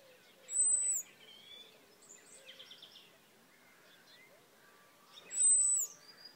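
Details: European robin perched on a fishing rod at Hampton Loade on 26 June 2013, calling for more maggots: two thin, very high, drawn-out whistles about five seconds apart, with soft twittering from other birds between.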